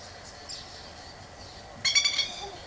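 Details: A plover guarding its eggs, which lie across the water in another garden, swoops and bursts into a quick run of five or six sharp, high, ringing alarm notes after a quiet stretch, loud and close.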